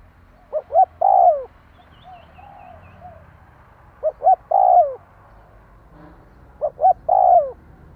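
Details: {'caption': 'Spotted dove voice for exciting a decoy bird: a pair of short notes then a sustained descending coo, repeated three times, separated by faint quiet cooing and light background hiss.'}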